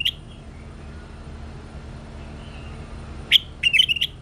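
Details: Bulbul song: after a long quiet stretch with faint low hum, a short burst of clear whistled notes, one bright note followed by a quick run of several warbled notes near the end.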